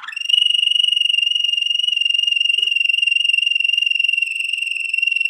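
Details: Waterslager canary song used for training: one very fast, even trill held at a steady high pitch for about five seconds without a break, with rapid pulsing throughout.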